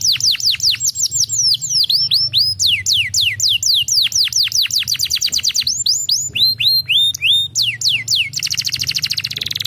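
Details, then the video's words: Canary song played to stimulate lazy canaries into singing: loud series of sharp, rapidly descending whistled sweeps in quick succession, shifting to shorter upward-hooked notes, ending in a fast buzzy trill, over a faint low hum. "molto potente stimolando il suono dei canarini pigri cinguettio"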